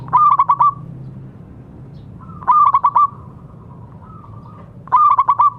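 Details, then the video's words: Zebra dove of local stock singing to coax quiet doves into song: three clipped bursts of four or five fast, bubbling notes with a soft sustained tail, spaced roughly two and a half seconds apart over low background hum. "Perkutut lokal gacor suara bagus untuk terapi yang macet bunyi."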